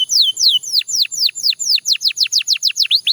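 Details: Belgian canary singing a steady series of high, clear whistled notes that each sweep sharply downward, about four per second, loud and evenly spaced against a quiet background.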